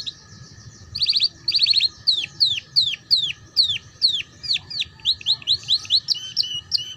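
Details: Canary song in ngeriwik style, a tutor track for young canaries. Two rattling trills open, followed by rhythmic down-slurred whistles repeated about twice a second, then quicker higher chirps.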